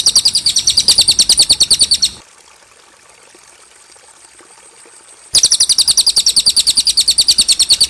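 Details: Cililin song used as a tutor recording to train young birds such as jalak suren and kacer: loud, clear, rapid high-pitched trill of evenly repeated notes, broken by a three-second pause before resuming.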